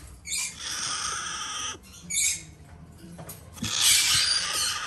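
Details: Two hand-fed female red-shouldered macaw chicks, domestically bred in Japan, indoors; long grating rasping calls, the last one loudest and drawn out, between quieter scratchy stretches.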